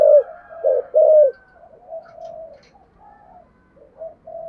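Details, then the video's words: A spotted dove in the deep 'thổ sấm' voice style: three strong husky coos in the first second, then quieter drawn-out cooing phrases trailing off. "cu gáy giọng thổ sấm bài bản đủ bài hay gáy gọi hai hậu"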